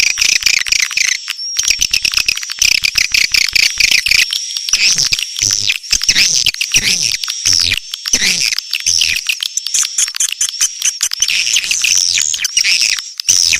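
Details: Clean swiftlet calls for use as a lure: a long, unbroken run of high-pitched twittering and squeaky chirps laced with rapid dry clicks, with a faint low thump now and then.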